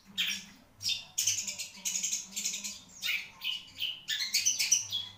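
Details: Caged long-tailed shrike, Marlboro type, singing a steady stream of scratchy, harsh phrases with buzzy chatter and a few thin whistled notes near the end.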